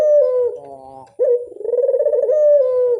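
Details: Lure call of a Barbary dove, heard as a drawn-out coo, then a soft nasal interlude, then a second rolling, vibrating coo that holds a steady low pitch.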